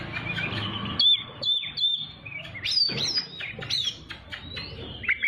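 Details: Oriental magpie-robin song for training young birds: thin sustained whistles broken by sharp rising and dropping notes, over a noisy low background.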